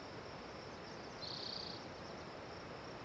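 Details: Spotted towhee singing: one short buzzy trill lasting about half a second, high and level, set against a constant thin high hum and soft background noise.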